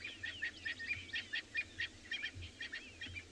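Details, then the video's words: Distant francolins give harsh, scratchy chattering alarm calls, several birds overlapping about once a second, over a low rumble, at sunrise on 21 June 2020 (winter) in Tswalu Kalahari Reserve, South Africa; they were probably flushed from grass by lionesses. "You can hear some francolins alarming off in the distance, and I expect that's exactly where the lionesses are."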